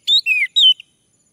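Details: Orange-headed thrush, male, heard in a prompting recording: three drawn-out whistles, the first rising, the second falling gently, the third sliding down, with a brief soft note at the end.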